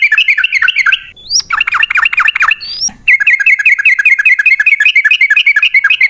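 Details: Yellow-vented bulbul chatter used as a lure for caged birds: rapid bubbling notes, interrupted by two thin rising whistles and a burst of lower scratchy phrases, then resuming in a fast, steady stream.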